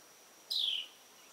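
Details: A Carolina wren gives one short, high note that slurs downward while preening, with a faint background hiss.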